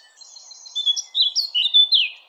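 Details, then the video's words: Short blackcap phrase: soft twittering lead-in followed by several loud clear fluting whistles, each dropping slightly in pitch. "Blackcap Song"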